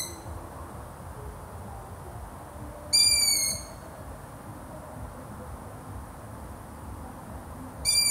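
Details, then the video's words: Two high, creaky whistled calls from a long-eared owl, each about half a second and gently descending, spaced roughly five seconds apart against faint broadband noise. "LONG EARED OWL | SOUNDS"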